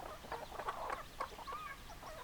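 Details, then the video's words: Hens and roosters clucking close by, a quick burst of throaty mid-pitched clucks, ending in a short rising tonal note. "Chicken Sounds Noises Hens Clucking Roosters Crowing"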